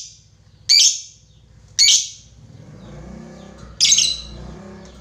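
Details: Lovebird rival-calling lure in the long 'ngekek' style: three loud, harsh squawks roughly one to two seconds apart, backed by a persistent low droning hum.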